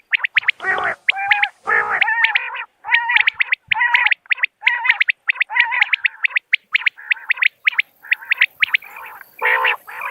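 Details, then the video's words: A common quail calls in rapid runs of short, nasal, harsh notes, a few per second, almost without pause, with no other sounds intruding; the recording is used as a lure for hunting. "بٹیر کی صاف آواز | Common Quail Calling Sound"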